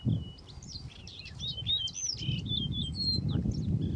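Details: Singing Yellow-breasted Bunting male gives a lively run of clear whistled notes, some held briefly, some falling, with steady low wind-like rumble underneath.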